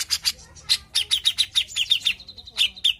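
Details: Cucak jenggot heard as a lure to set other birds singing: a lively string of about fifteen crisp, high, clipped chirps, some in quick pairs, with a short steady whistle near the end.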